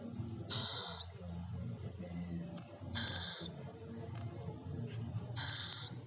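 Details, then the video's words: Three sharp, steam-like hisses from a scops owl (celepuk), each lasting around half a second and repeating about every two and a half seconds over a quiet background. "Suara burung hantu celepuk/ceguk"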